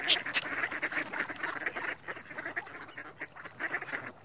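Mallard giving a rapid run of rough, nasal quacks, about four a second, in uneven bursts with brief pauses.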